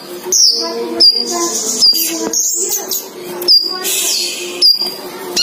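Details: Sunbird, male and female in one cage, calling excitedly: repeated high, swooping whistles and scratchy notes, with a sustained musical tone underneath.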